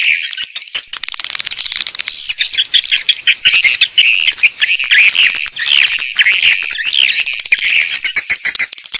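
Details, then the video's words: Swiftlet lure sound: a dense, continuous chatter of swiftlets, rapid, buzzy twittering and clicking chirps, high-pitched and overlapping without pause. "Âm thanh dụ Yến"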